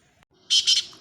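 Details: Newly acquired captive quail, called surkha batair, the first of the season; two quick, harsh, high chirps in under half a second, then silence.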